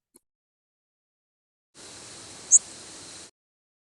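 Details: Northern Waterthrush flight call, a migrant passing into mid-October: a single very high, thin, rising buzzy zip with sibilant modulation, frequency oscillating rapidly to give a fluttering quality, over a steady background hiss.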